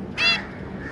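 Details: A zebra finch from a family of a breeding pair and their three juveniles, recorded 25 July 2022, gives one short, nasal, trumpet-like note over a faint low hum.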